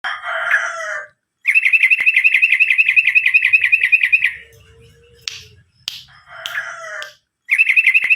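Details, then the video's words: Yellow-vented bulbul (trucukan, 'garuda' type) singing in lively 'gacor' style: rapid runs of bubbly, chattering notes repeated about four per second, broken by short gaps, a soft low whistle and sharp clicks or wing flutters. "SUARA BURUNG TRUCUKAN GACOR"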